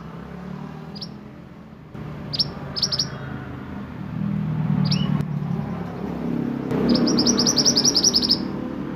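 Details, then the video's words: Sunbird in roll nembak style, used for tutoring other songbirds. Isolated sharp, high, downslurred chirps give way to a rapid rolling trill of bright high notes near the end, over low background rumble. "Burung mantenan gacor roll nembak untuk masteran"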